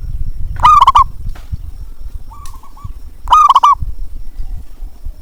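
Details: Zebra dove call for doves reluctant to sing. Two loud, bubbling, rolled coos nearly three seconds apart, a soft, distant coo between them, and low rumble behind.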